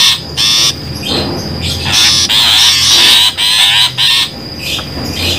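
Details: A long-tailed shrike lure sound for trapping, with grating chattering notes, one drawn-out rasping phrase in the middle, and shorter scratchy bursts around it.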